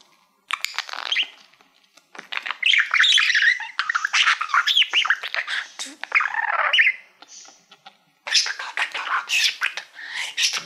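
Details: Pet budgerigar, male, warbling to a shiny silver award he treats as a mirror: long stretches of busy chatter mixing squawks, clicks and squeaky notes, broken by brief pauses.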